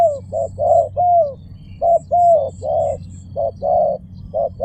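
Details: Series of low, mellow coos from a spotted dove, short notes mixed with longer downward-slurred ones, against a constant low background hum.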